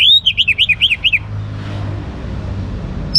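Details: Young orange-headed thrush delivering a rapid string of about eight looping, warbled whistles, then silence apart from a low road rumble, with a new note starting at the end.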